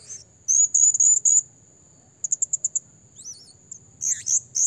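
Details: Blue-crowned hanging parrot lure recording for trapping: very high, thin chirped notes in a quick run of five, a pause, then a fast stuttered burst and scattered squeaks, over a steady high-pitched whine.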